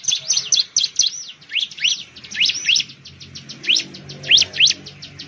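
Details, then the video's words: Bar-winged prinia, called ciblek or perenjak jawa in Indonesia, found in plantations, rice fields and green villages: shrill, sharply sweeping chirps mixed with rapid faint ticks, delivered in an irregular lively stream. "suara burung ciblek/ciblek sound"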